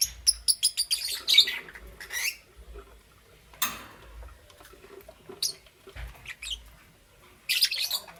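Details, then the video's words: Lovebirds, Parblue Euwing green opaline and green opaline, in the morning: a quick run of sharp, high chirps in the first second and a half, then scattered harsh bursts separated by quiet gaps. "Lovebird Chirping Sounds"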